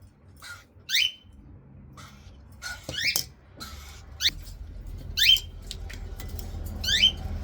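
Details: Cockatiel chicks at feeding time, hand-fed with a spoon indoors, give a series of sharp rising squeaky begging calls, repeated irregularly about every second or two, with faint clicks and room noise between.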